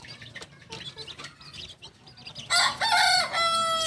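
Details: Young Kokok Balenggek rooster, aged two months, singing chicken native to Tigo Lurah, Solok, West Sumatra. Quiet background noises give way to a loud, clear crow of several stepped, harmonic notes.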